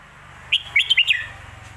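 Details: Red-whiskered bulbul delivering a brief 'Phat Kuai Tiao' master-song phrase: a sharp opening note followed by three quick, liquid whistles over a steady low hum.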